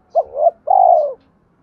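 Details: Spotted dove giving a single coo phrase as a training lure for decoy birds: a quick rising double note followed by one drawn-out, smoothly descending coo, with faint low rumble underneath.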